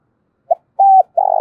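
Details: Partial phrase from a spotted dove used as a lure to call wild doves, 'giọng thổ' style: a brief clipped note, a flat mellow coo, then the start of a rolling, vibrating coo, cut short.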